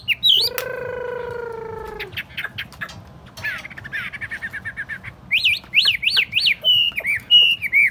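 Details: Tame Chinese hwamei in a portable table cage: a sharp rising note, a long nasal buzz, a stuttering chatter, then a run of clear rising-and-falling whistles.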